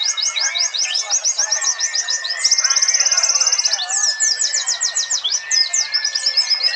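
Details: Compilation of real white-eyes (Zosterops) recorded on a phone at a national bird-song competition in Trenggalek, East Java: a dense chorus of fast, high, twittering warbles overlapping without pause, with a thin steady whistle underneath.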